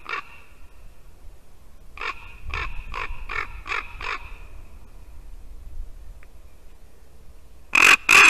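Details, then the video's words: Common ravens calling at a white-tailed eagle nest in Latvia, 8:59 AM, 2 December 2019, one like a rusty hinge: a harsh, hoarse call, then five croaking caws about half a second apart, ending in two loud harsh blasts. "Ravens entertain Milda"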